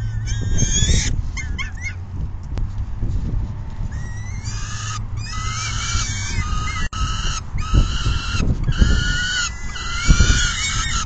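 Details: Peregrine falcon nest feeding session, June 10, 2022, 4:08 PM; after a quieter start, grating harmonic calls with bent, wavering notes build into long strings, backed by low rumbling noise.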